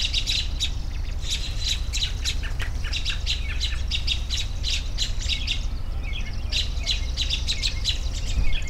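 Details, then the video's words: Clicky, rhythmic high chirps repeated quickly by a group of birds, broken by a short pause midway, with a low constant drone below. "10 Minutes of Bird Sounds for Relaxation"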